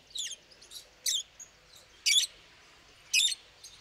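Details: Pet lovebirds giving loud shrill squawks roughly once a second, each short and rasping, with fainter chirps between, over a soft hiss of room noise.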